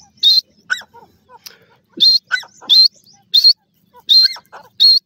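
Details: Black francolin chicks playing and fighting on grass give high, thin peeping notes in quick bursts, about one a second, mixed with softer falling whistles and a few low clucks.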